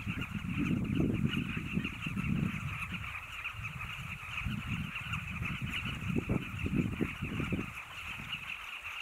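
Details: Carmine bee-eaters at Zambezi Mubala Lodge in Namibia keep up an unbroken murmur of massed chirping calls, partly masked by heavy low-pitched rumbling and buffeting throughout.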